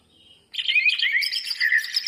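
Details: Lure song for birds reluctant to sing: a greater green leafbird bursts in after half a second of quiet with a busy, jumbled, high twittering full isian phrase.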